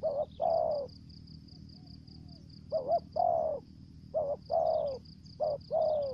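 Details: Spotted dove kept as a lure bird, singing in the 'thổ dế' and 'mai rừng' voice styles: a short wavering coo followed by a longer falling coo, in repeated pairs with pauses, over a steady pulsing high buzz.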